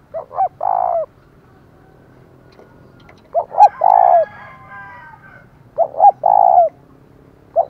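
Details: Decoy spotted dove giving a loud thúc call meant to provoke wild rivals, in the thổ voice style: three deep cooing phrases, each two short notes then a long hoarse coo, roughly every three seconds.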